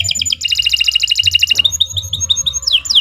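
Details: Canary singing a long master song for training birds: a rapid even trill of repeated notes, then a chain of short whistled notes ending in high downward sweeps, faint low rumble behind.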